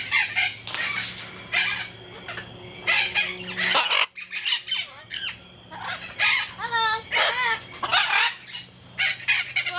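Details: A captive parrot at Jungle Island, Miami, Florida, USA, recorded 24 November 2010, mimicking speech: voice-like harmonic phrases and squawks, "Hello" and "Mama", alongside other bird calls and a steady low background hum.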